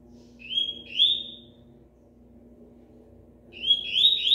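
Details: Rusty-collared seedeater in moult, still singing: paired high whistled notes that rise in pitch, a long gap, then a fresh rising burst of the same notes, faint hum below.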